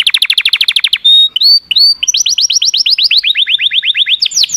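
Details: Canary singing: a fast series of rising notes repeated about three times a second, then a few clear whistled slides, then a long roll of sweeping high notes.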